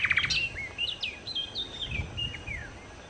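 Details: Nightingale, locally sikatan londo, in vigorous song to attract birds: a few quick rasping notes, then a flowing series of clear slurred whistles rising and falling, with low background rumble.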